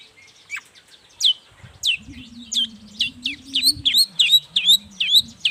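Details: Long-tailed shrike singing in the morning, used to lure other shrikes into answering: a varied run of sharp, rising and falling whistled notes quickening toward the end, with a low steady hum underneath.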